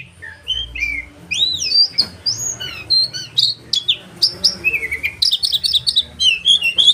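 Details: Sharp-voiced "roll tembakan" of an oriental magpie-robin: looping whistles that rise and fall, quick chirps, and a dense run of rapid repeated notes late on.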